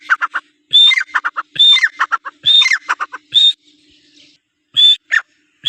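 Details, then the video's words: Iranian francolin call series: a piercing whistle leading into a rattling string of lower notes, repeated four times, then a pause and two more whistles. "Teetar ki awaz| Teetar voice | Sound of Teetar |Iranian teetar ki awaz"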